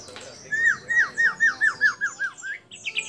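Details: White-rumped shama song imitating other birds: a steady series of about ten clear, downward-slurred whistles, evenly spaced, followed by a quick high twitter.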